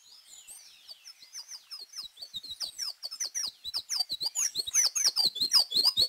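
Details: Colombian hummingbird producing a long accelerating run of tiny, piercing high chips and twitters, starting soft and growing louder and faster into a dense squeaky chatter.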